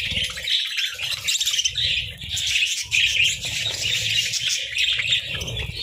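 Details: Sunbathing budgerigars chatter continuously in a bright, scratchy warble full of quick chirps and clicks, with soft low rustling underneath.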